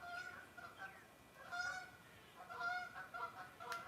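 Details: Canada geese flying overhead in spring, returning from the south: a chorus of nasal two-note honks overlapping irregularly, roughly one a second, with faint background hiss.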